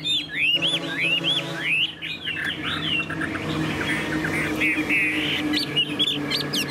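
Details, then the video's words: Chinese hwamei, a tame cage bird, pouring out rapid downslurred and upswept whistles in quick series, with a steady low hum in the background and fainter notes toward the end. "Họa mi đẳng cấp, chim thuần, hót như 1 cái máy"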